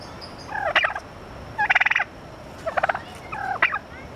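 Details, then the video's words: San Francisco Zoo turkeys gobbling in four separate quick rattling bursts spread across the recording, each a tight run of pulsed harmonic notes, with a faint constant hum behind. "happy thanksgiving from the talking turkeys at the san francisco zoo"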